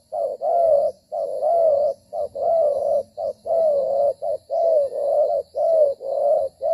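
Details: Spotted dove used as a trapping decoy, cooing while it moves and fights; a steady run of low, hollow coos, short notes paired with longer slurred ones, close to one per second, clean and loud.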